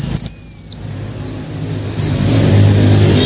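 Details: Blue-winged minla, a Hmong keeper's lure bird in Vietnam, opens with a single bright whistled phrase that climbs and then falls away, followed by seconds of low rumbling noise with no further song.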